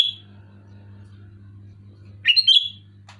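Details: Sooty-headed bulbul giving a loud, clear song. A whistled note fades out at the start, then after a pause comes one bubbly, warbling phrase, over a low steady hum.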